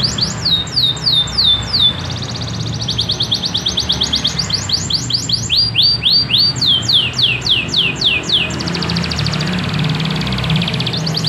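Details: Canary singing loudly in a modern cengkok style: long runs of fast, high, repeated rising sweeps and trills that shift from one tour to the next without pause, over a faint low hum.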